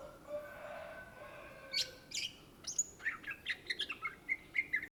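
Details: Cucak Ijo, or greater green leafbird, native to Indonesia, singing: after a quiet start, a few scattered high notes lead into a quickening run of short, even whistled notes.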